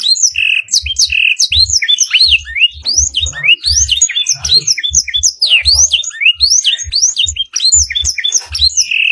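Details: {'caption': 'Canary practice song with black-throated canary fill: dense, unbroken high twittering of sweeping whistles and buzzy notes, with brief steady tones, over soft low thumping.'}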